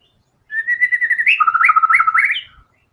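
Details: White-rumped shama in energetic full song with varied song material: a steady, pulsing whistled series that drops into rapid lower notes broken by quick upward flicks.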